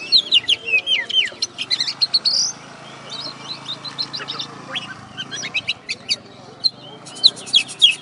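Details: Champion oriental magpie-robin at a West Kalimantan bird contest sings rapid bursts of sharp chirps and slurred whistles, repeated in quick clusters, pausing midway, then resuming with clipped high notes.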